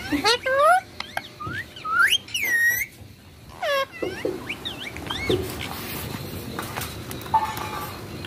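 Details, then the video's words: Rose-ringed parakeet talking while playing with a mobile phone: a dense string of bright rising and curving whistled syllables for about four seconds, then softer scattered notes and rustling in a small room. "Ringneck Green Parrot talking"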